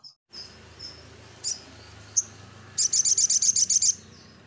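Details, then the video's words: Crimson sunbird lure song: a few scattered thin, high notes over a hissing background, then a quick shrill trill of about ten evenly spaced notes lasting one second. "Burung Sogon Gacor"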